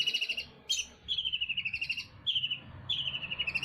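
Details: Eurasian tree sparrow from Jember copying a shrike in 'cendet Damar Wulan' style: several rapid, slightly descending trilled phrases of bright high notes, with one sharp chirp between. Constant low background noise.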